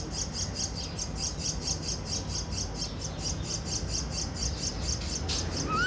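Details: Young Common Myna (Acridotheres tristis tristis) sits gaping for food in a nest between a wall and a grill in a Delhi housing complex, giving fast, evenly repeated high chirps over low city noise; a rising whistle appears near the end.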